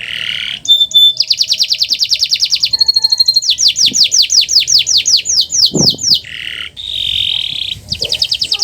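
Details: Varied canary master song to prompt silent birds: a burry warble, a fast clicking trill, rapid downslurred note series, a buzzy mid-pitched phrase and a closing rapid trill, changing tour every second or two.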